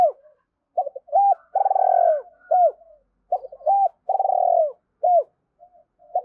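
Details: Decoy spotted dove coos to call in wild doves: repeated low, throaty coos with slurred, rolling phrases, about one burst every two seconds, some phrases with a rough trilled rattle.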